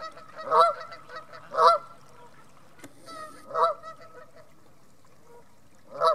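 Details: Vocal geese at North Third reservoir near Stirling give four loud, harsh honks spaced about a second or two apart, with softer calls in the gaps between them.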